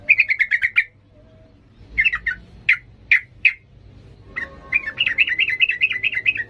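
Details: Yellow-vented bulbul giving 'ngalas' style song meant to train young birds: a fast burst of chips, scattered single sharp notes, then a long wavering warbled run of rising-falling notes.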